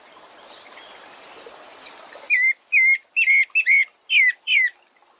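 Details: Pale-breasted thrush, described as very complaining, on a rural smallholding: after a hissy noisy start, a run of six clear whistled notes, each a short slurred twist, spaced about half a second apart.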